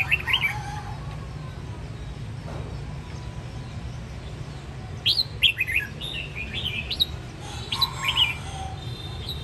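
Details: Red-whiskered bulbul in a home singing contest in Quang Nam, Vietnam, giving short bright warbled phrases of rising and falling notes in bursts, over a steady low background rumble.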